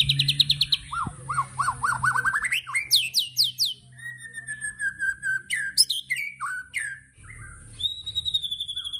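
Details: White-rumped shama tembakan: a fast series of rising whistled notes climbing in pitch, then loud high downslurred shots, a long steady whistle, and more varied chips, with a faint low hum at the start.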